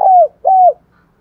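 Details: Morning coo of a decoy spotted dove calling wild doves: two clear, steady coos, each ending in a downward slur, separated by a brief gap.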